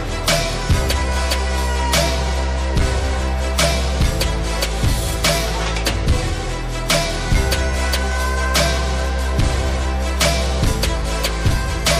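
Loud continuous music with a heavy bass beat and steady rhythm throughout, no animal calls heard.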